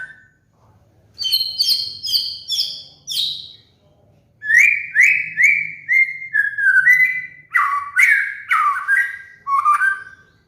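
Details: Murai batu, the white-rumped shama kept as a cage bird, in a master song used as a trigger for moulting birds: a run of high clear whistles, then a steady series of lower slurred, rising and falling whistled notes in quick succession.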